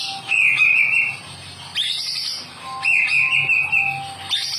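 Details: White-rumped shama (Copsychus malabaricus), song.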